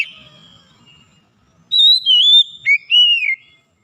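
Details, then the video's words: Oriental magpie-robin, said to sing too little and being coaxed into vigorous song, starts with a faint fading whistle, then after a pause gives clear, sweet, wavering whistles, sliding down and then up. "KACER YANG MALAS BUNYI JADI GACOR"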